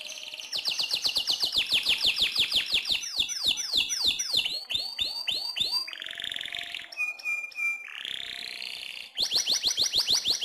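A canary sings fast and without pause, with rapid rolling trills, sweeping whistled notes and buzzy runs, high and bright throughout.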